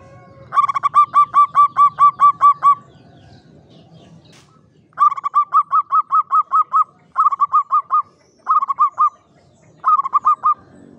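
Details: A caged local Javanese zebra dove in a classic Mataraman cage gives runs of quick, clipped cooing notes, about five per second, in bursts separated by short pauses, with a faint low hum behind.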